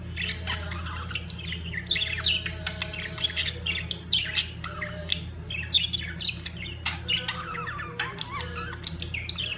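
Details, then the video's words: Budgerigars at the peak of mating, chattering continuously with rapid squeaky chirps, clicks and warbled notes over a constant low hum in an indoor setting. "طيور الحب البادجي في قمة تزاوجها"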